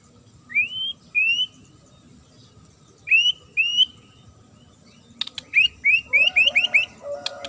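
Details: White-rumped shama of the fighter type: paired rising whistled upslurs repeated after pauses, then a quick series of six sharp, bright upswept notes over a lower warbling undertone, with scattered clicks.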